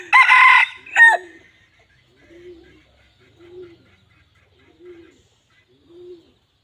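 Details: Female red junglefowl in the wild: two loud harsh bursts open, followed by a steady series of short, low, muffled notes repeated roughly once a second against a quiet background.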